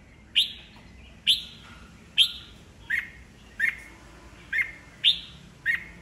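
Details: Red-whiskered bulbul, old wild-caught bird used to stir rivals into singing: a steady series of eight sharp, clipped chirps, roughly one every three quarters of a second, over faint background noise.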